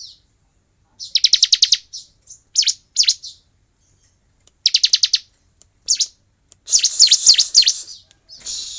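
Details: Bar-winged prinia singing while fighting, kept-bird training recording. Rapid buzzy rattles of clipped high notes alternate with single sharp chirps, ending in a dense harsh burst.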